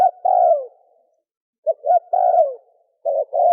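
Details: Male spotted dove calling to attract females, clean loud cooing: a short coo then a long falling coo, a pause, then two quick coos and a long descending coo, ending with two short coos.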